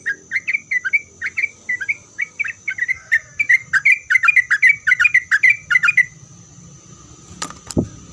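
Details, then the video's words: Sooty-headed bulbul singing, meant to make other bulbuls answer: a rapid series of short, clear whistled notes near the same pitch, repeated about two to three per second for six seconds, then a couple of sharp knocks and a faint steady hum. "Kicauan Trucuk Gacor Ini Membuat Trucuk Apapun Pasti Langsung Nyaut buat Trucuk satu pasar Ribut.."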